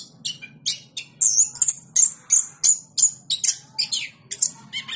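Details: Caged champion Orange-headed thrush from Yogyakarta giving a fast run of high scratchy notes about three per second, mixed with thin whistles, in energetic ngeplong style above a faint low hum.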